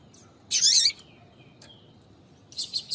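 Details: Female double-collared seedeater (papa-capim) calling to excite males into singing. A dense, buzzy, high chirp burst is followed by faint thin notes, then three quick high chirps, over steady low hiss.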